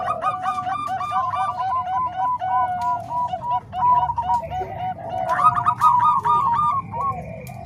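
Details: Zebra dove song blending Bangkok and Cemani Kolbuntet voices for training other doves: steady strings of short, arched, repeated coo notes from several layered voices, rising to a brighter, higher run after five seconds.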